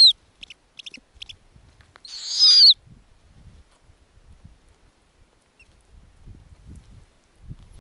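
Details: Snowy owl owlet on its Arctic nest during lemming feeding by its mother. One short, breathy, hissing screech that ends abruptly, then near-quiet with faint soft tapping.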